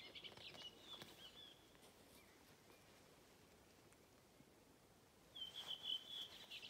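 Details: A redwing sings on 7 June 2023 at Hedströmstjärnen, Galtström, giving two short, high phrases of clear notes and quick twittering, separated by a few seconds of quiet over a soft outdoor hush.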